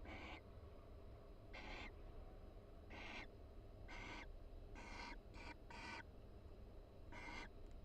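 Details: A breeding-season barn owl pair vocalizing quietly in a University of Florida nest box: eight short, hoarse, hissing notes, a tight cluster of three near the middle, over a faint low hum.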